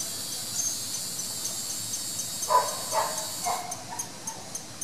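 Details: Masked water tyrant at the Jardim Botânico, Rio de Janeiro, Brazil: three short, harsh nasal notes about a half-second apart, over a steady ticking of insects and faint high chirps.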